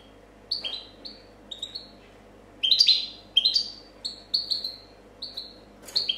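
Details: European goldfinch, 2014 competition champion, in clean copia song: sparse falling whistles at first, then a denser run of overlapping, slurred notes followed by evenly spaced, drawn-out downward whistles.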